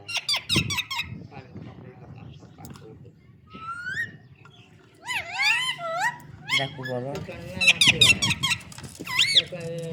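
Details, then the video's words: Green parrot mixing rapid scratchy chatter, a few gliding whistles and bursts of squawking, voice-like syllables, with a low background hum throughout. "Green parrot talking"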